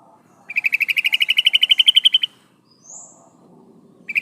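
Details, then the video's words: Female yellow-vented bulbul calling the male: a long, fast trill of around twenty bright notes rising slightly, followed by a brief high whistle and the start of another trill. "suara burung trucukan betina memanggil jantan"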